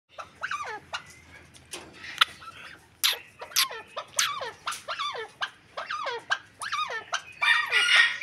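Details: Captive Arabian partridges give harsh, chuckling notes that swoop sharply downward. They repeat about twice a second, with several birds overlapping into a loud rattling chorus.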